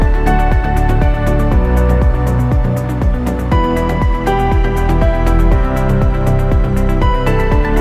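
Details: Electronic music with a steady, fast beat, layered synth tones and a repeating bass pulse throughout; no animal calls.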